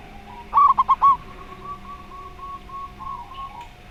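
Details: Zebra dove song in the slow style, in a recording paired with a spotted dove: four quick staccato cooing notes in a burst, followed by a faint wavering trail of softer notes against a low background hum.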